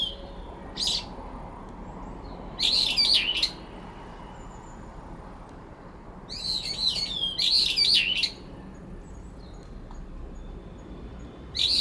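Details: Two brown-eared bulbuls quarrel over territory in a cherry tree in late September. Sharp, squealing, wavering high phrases come in bursts, one short and two longer, with quiet gaps between them.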